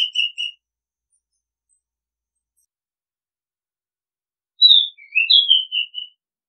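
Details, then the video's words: Oriental magpie-robin giving whistled song notes: a short trailing end of one phrase, then a long silence. A new phrase of clear falling and rising whistles follows. "Oriental Magpie Robin Sound Long play เสียงร้อง นกกางเขนบ้าน"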